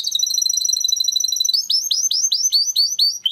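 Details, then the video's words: Timbrado canary song, training recording: a fast steady high trill for about one and a half seconds, switching to a series of curved, falling notes repeated roughly five times a second. "Υour canary will sing UNSTOPPABLY"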